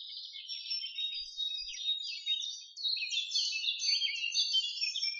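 Jungle babblers give a continuous, high, squeaky chatter of overlapping harsh notes, several birds calling at once with no pause.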